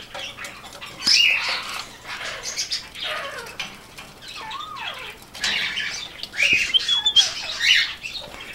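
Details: Male rainbow lorikeet in a cage with a companion of the same species, clamouring for attention on seeing its owner; scratchy chattering squawks, a clear falling whistle near the middle, then a loud burst of shrill screeches with clicks.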